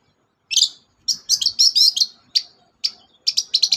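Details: Long-tailed shrike chattering song to encourage a silent bird: spaced harsh chips, a quick series of twisting, slurred high notes, then further clipped notes and a rapid closing rattle.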